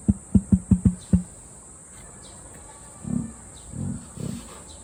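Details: Zoo emu in Japan letting out deep burp-like booms: six rapid low thuds in about a second, then after a pause three softer, longer rumbling grunts, with a faint steady high whine behind.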